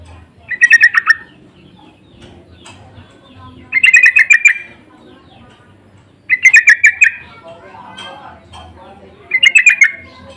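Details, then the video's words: Sooty-headed bulbul lure and answering calls: four bursts of fast, bubbling chatter, each under a second long, coming roughly every three seconds over a quiet background. "Pancingan dan panggilan burung trucuk saling bersahutan❗suara ngotot"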